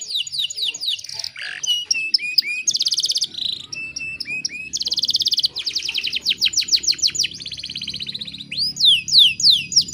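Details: Female canary in breeding condition, luring a male, sings a long varied song: chattering notes, a low rasp, buzzy trills, whistled slurs, fast rattles and many steep falling sweeps, with faint low background murmur.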